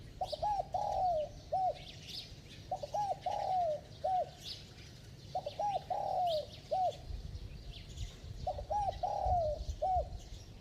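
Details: Bell-voiced spotted dove calling in quick cooing bouts meant to excite decoy doves. Four phrases repeat every two to three seconds: short coos, then a drawn-out falling coo, then a closing coo. Faint chirping from other small birds.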